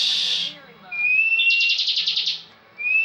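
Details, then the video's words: Bar-winged prinia singing in 'ngebren' style: a buzzy burst fades into a level thin whistle, then a pulsing buzzy trill, ending with another rising whistle. A prize-winning contest bird. "Ciblek ngebren full"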